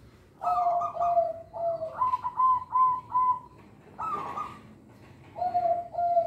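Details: Local zebra dove with an exceptional voice, used as a lure for young birds: a rhythmic chain of soft, rolling coos rising in steps, a short break, then lower paired notes.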